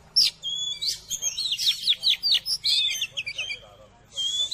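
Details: Oriental magpie-robin giving a quick series of sharp whistled and chattering notes, fading to near silence before a final loud whistle, with a steady low hum behind.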